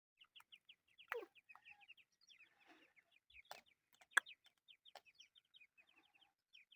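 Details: Chukar partridge chicks giving a steady stream of short, thin, downslurred peeps, several per second, with a few louder sharp chirps and faint clicks between them.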